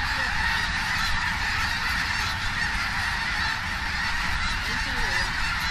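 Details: A huge flock of snow geese landing by the tens of thousands in Richmond, British Columbia, Canada, in October 2005: an unbroken wall of overlapping honking, with a few wavering calls standing out from the dense roar.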